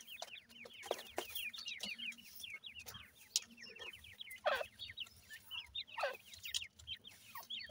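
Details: 28-day-old francolin chicks feeding in a yard: rapid, high, thin peeps, many overlapping and repeated several times a second, with occasional soft scratchy knocks underneath.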